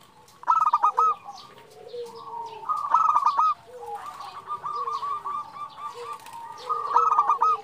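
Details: Zebra dove female calling to a male, used as a lure: bursts of rapid, stuttering, bubbling coos alternate with softer drawn-out notes, with a lower gliding coo beneath and further doves overlapping throughout.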